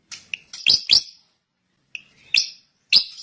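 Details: Drongo song in two short bursts separated by a pause, each a few sharp, explosive chirps with a lower whistled note before them, loud and clipped, against a quiet background.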